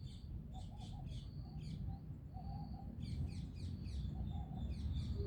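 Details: Birds chirping in the early morning at sunrise: quick high twittering bursts in clusters, with softer mid-pitched warbled notes between them, over a steady low rumbling background noise.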